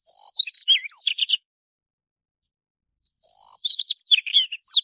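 A Daurian redstart gives two short phrases, each opening with a thin high whistle and breaking into a quick scratchy twitter, with a pause between them.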